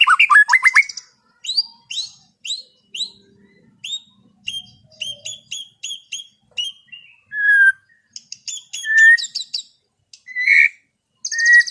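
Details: White-rumped shama in gentle afternoon song for relaxing an over-aroused bird: a series of rising chirps repeated at steady intervals, then clear whistled notes and brief buzzy high bursts.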